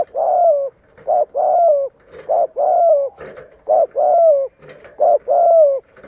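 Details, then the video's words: Spotted dove serving as a decoy to pull wild doves in to fight, cooing steadily in repeated pairs: a short coo then a longer note bending downward, about twelve notes in six seconds, with soft clicks between. "TIẾNG CHIM CU GÁY MỒI CHUẨN GÁY GÙ THÚC KÍCH BỔI VỀ ĐẤU CỰC HAY"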